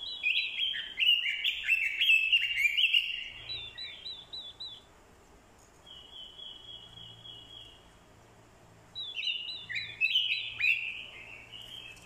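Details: Fighting song of a decoy Orange-headed thrush, with a female's calls used to spur a male; a loud four-second burst of hurried warbling, a quiet stretch holding one thin level whistle, then another loud burst.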